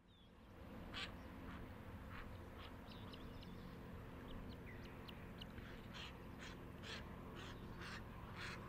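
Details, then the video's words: White-cheeked pintail giving short, harsh quacking notes, roughly two per second, over a steady low rumble of background noise. "White-cheeked Pintail"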